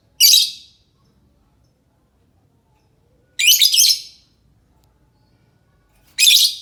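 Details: Three piercing, harsh squawks about three seconds apart, the middle one slightly stuttered, from a lovebird used as a lure so that others respond.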